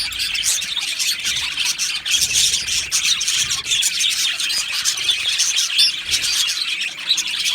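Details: A colony of Australian budgerigars in an aviary, chirping and squawking together in a dense, continuous high-pitched chatter of overlapping twitters and warbles with no pauses.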